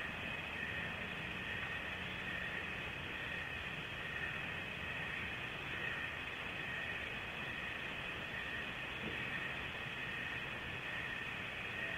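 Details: Steady broadband rumbling hiss with a faint continuous hum throughout, and no animal calls heard.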